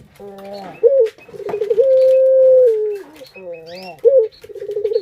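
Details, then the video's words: Barbary dove kept as a pet, coo used to stimulate other birds: a burst of rapid rolled notes leads into a sustained even hum that sinks in pitch, then fresh quavering phrases follow. "Pancingan Burung Puter Paling Keren"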